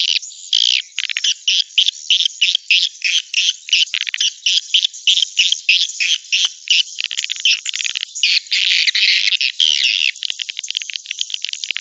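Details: Swiftlet calling sound meant to attract birds into a nest building, a fast run of buzzy high chirps repeated about three times per second, with a continuous twittering wash rising toward the end.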